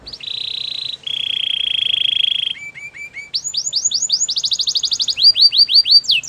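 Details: Canary song of two buzzy steady trills, a few soft notes, then quickening series of curved whistled notes rising in loudness.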